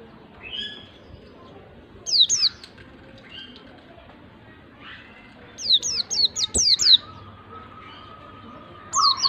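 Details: A white-eye sings in scattered bursts to coax a lazy bird into song: short clusters of high, sharply falling whistles separated by long pauses, with a steady lower tone near the end.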